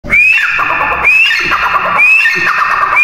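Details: Grey francolin calls: loud, ringing notes that each sweep upward and then trail off in a harsh, slurred tail. They repeat about once a second in a dense, overlapping series.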